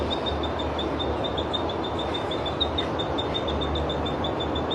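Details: A Thick-billed spiderhunter perched on a tree branch sings a fast, steady run of thin, high chipping notes, about five a second, over a constant rumble like distant traffic or a train.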